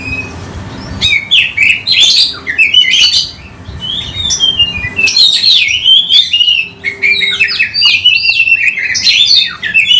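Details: Oriental magpie-robin, used to lure other birds, sings loudly with tail opened: a long run of whistled, slurred and buzzy phrases with rising and falling sweeps, almost without pause, a brief quieter spell near four seconds.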